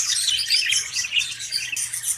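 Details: Many caged budgerigars in breeding cages with eggs and chicks from a first clutch, chattering continuously: dense overlapping high warbles and chirps.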